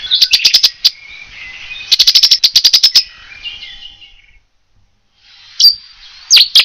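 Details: Cetti's warbler singing in France: a sudden loud burst of sharp, rapid, high notes, then a second explosive volley about a second later, followed by a pause and a few more abrupt notes, with faint bird twittering behind.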